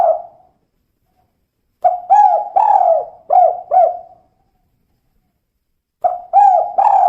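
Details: Repeated mellow hoots of a female spotted dove, the call known as kuk 2. A phrase of about five downward-curving coos is followed by a pause and another phrase, with no other sound.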